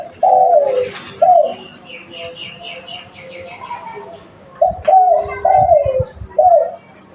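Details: Local spotted dove kept as a lure bird, giving a mellow, slightly descending coo phrase of three notes, then a pause, then another phrase of three to four hoarse coos with a faint chirping in between.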